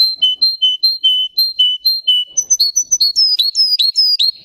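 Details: Singing Russian canary at close range: a steady tour of clear whistled notes repeated about three times a second, then quicker upward-swept, higher notes in a bright rolling series.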